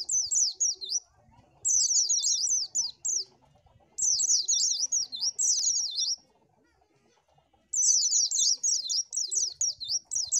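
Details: Oriental white-eye song used to lure birds: rapid, high twittering phrases of zigzagging warbled notes lasting one to two seconds, separated by short pauses, four bursts in ten seconds.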